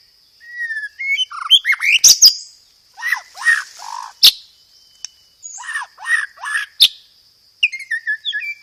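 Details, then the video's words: Loud, clear white-rumped shama song mixing sparrow-fight imitations and rapid rolls. Opening whistles and sharp clicks, then harsh buzzy downslurred notes repeated in groups, separated by brief pauses, with a steady high tone behind. "PANCINGAN SUARA BURUNG MURAI BATU isian gereja tarung, full materi roll tembak"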